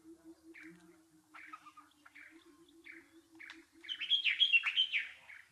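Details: Nightingale with short, separate chirped notes over a low, pulsing hum, then a loud, rich burst of rapid, varied warbling trills.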